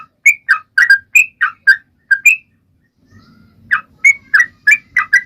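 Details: Sooty-headed bulbul song used to set off other birds: scattered bubbly notes rising and dipping, a brief pause near the middle with a faint thin whistle and low rumble, then the lively notes return.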